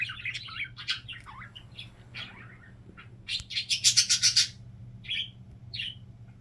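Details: Domestic budgerigar with a signature sound, among other budgies that mimic it: twisting chirps and a descending buzzy slur, then a rapid string of about eight loud, sharp clicking notes, followed by two short whistled chirps.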